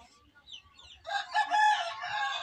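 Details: Red junglefowl (Gallus gallus) decoy bird used for luring wild junglefowl gives a harsh, raspy crow that starts abruptly after a quiet second and holds, strained and broken, to the end.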